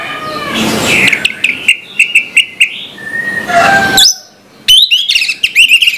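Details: Orange-headed thrush singing in the morning: a noisy scratchy opening, then a series of short repeated whistled notes, a pause, and a burst of quick warbling whistles.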